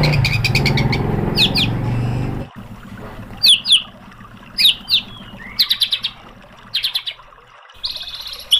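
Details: White-rumped shama song used as a training recording for caged birds: clear whistled phrases and rattling bursts high in pitch after a loud low rumble of noise in the first two seconds, with brief pauses between phrases.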